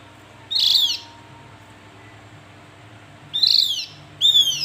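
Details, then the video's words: Javan white-eye calls: one buzzy, high note, a long pause, then two falling whistled calls close together, with a quiet low hum behind. "Panggilan burung Opior Jawa"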